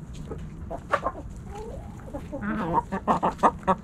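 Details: Backyard chickens snacking at Thanksgiving, hens and roosters together: a close series of clucks that build into a run of loud, evenly spaced cackling notes near the end.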